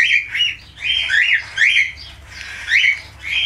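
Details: Budgerigar, falk type, uttering harsh, squawky chattering bursts about every second, each bending up and down, with a low background hum.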